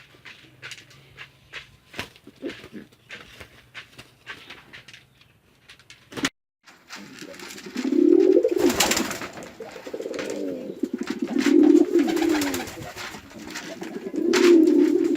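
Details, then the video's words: Fighting male and female farm pigeons in Chittagong District, Bangladesh: several seconds of scattered clicks and taps, a brief break, then repeated deep swelling coos amid broadband rustling noise. "Awesome Male & Female Pigeon Combo Attacks Sound"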